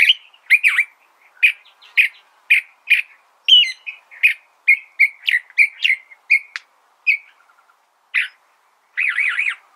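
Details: California thrasher song of crisp, varied whistled and chirped phrases, some doubled, ending with a warbled, wavering note after a short pause; the background is otherwise quiet.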